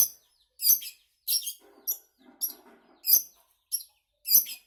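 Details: Long-tailed shrike uttering a series of loud, harsh, high scratchy notes spaced irregularly, with soft low twittering from another bird in the gaps.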